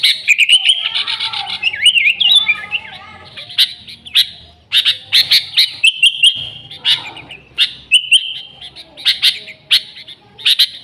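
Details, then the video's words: Chirping of sooty-headed bulbuls, an original recording for luring the species: rising and wavering whistles at the start, then steady clusters of crisp chirps with short level whistles. "Suara Burung Kutilang Gacor ASLI Tanpa isian, Ampuh untuk Pikat Kutilang bikin kutilang Ribut gacor"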